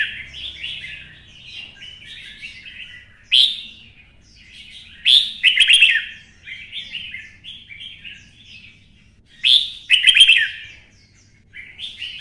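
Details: Red-whiskered bulbul, 'xoắn' voice style, stimulated to sing for fighting: continuous warbling with repeated loud bursts of fast rolling chirps every few seconds, softer twittering in between.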